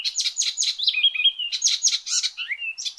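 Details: Icterine warbler singing loudly as training master material for small cage birds: bursts of scratchy chattering notes alternate with clear, level whistles and short warbled phrases in quick succession.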